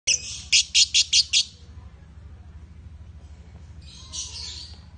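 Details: Lovebirds, a male and a female, giving a quick burst of about six loud, high chirps in the first second and a half, then a pause and a softer high twittering near the end.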